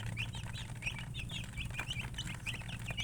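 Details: Sparse, thin, high peeps from chickens, each brief and slightly rising, scattered through the clip above a prominent low droning hum.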